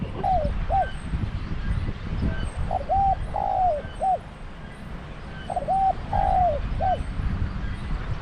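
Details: Decoy spotted dove calling at a trap cage to lure a wild bird. Several hollow three-note coo phrases come in bursts, each ending with a short drop, over low rumbling background noise.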